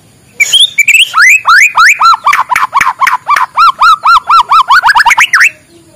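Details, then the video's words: Morning song of a white-rumped shama, used to prompt quiet shamas to sing: a few rising whistles lead into a long, steady series of loud arched notes repeated about four times a second, ending abruptly. "suara muraibatu di pagi hari, untuk pancingan muraibatu malas bunyi"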